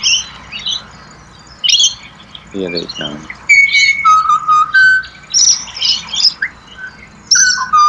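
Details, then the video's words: Pied butcherbirds (Cracticus nigrogularis), Australia, give clear, flute-like whistled notes held at steady pitches, some falling, among busy high chirps from other birds and a brief low squawk. "BUTCHER BIRDS Serenade / Serenata de Pajaros Carniceros"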